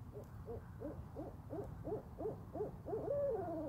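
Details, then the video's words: Owls in a yard: a clear run of short hooting notes, roughly three a second, growing louder, then ending in a longer sliding, wavering note, with faint low background hum. "Owl Sounds"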